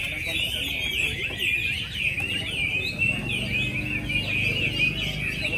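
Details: A Chinese hwamei, no. 37, competing in a top-10 final singing contest at Mỹ Đình on 19 July 2020, pours out a loud, unbroken stream of high, ringing whistles and trills, with a man's voice talking over it.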